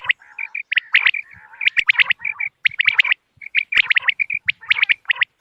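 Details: Overlapping calls of common quail, used to lure birds for hunting on moonlit nights. Bright, clipped notes come in rapid clusters, threaded with hoarse, buzzy chatter and short silent gaps.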